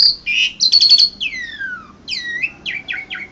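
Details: Asian pied starling, winner of the ANF Bird Cup singing contest in Indonesia, 2014: a bright buzzy burst, a long descending slurred whistle, then several short downslurred notes.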